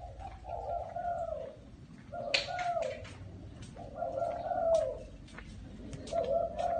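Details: In a small garden, a spotted dove coos in a steady low voice, a soft multi-note phrase roughly every two seconds, while sharp chirps of other small birds sound in between.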